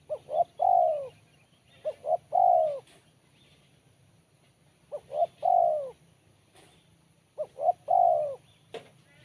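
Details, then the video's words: Spotted dove repeating its crisp Kuk 1 song four times. Each phrase is two quick clipped notes and then a drawn-out descending coo, spaced by short pauses against a quiet background. "Poin BL Kuk 1 Suara Mersik Tajam"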